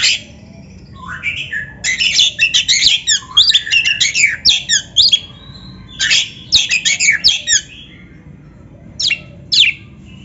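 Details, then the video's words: Magpie-robin song for training a caged kacer, with dense bursts of harsh, scratchy chatter and quick trills in two long runs separated by quiet gaps, then two brief closing notes. "SUARA BURUNG KACER GACOR MASTERAN"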